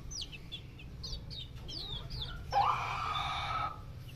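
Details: Silkie bantam chicks giving high, thin descending peeps in quick, irregular bursts, followed midway by a louder, harsh sustained sound lasting about a second, over a steady low rumble.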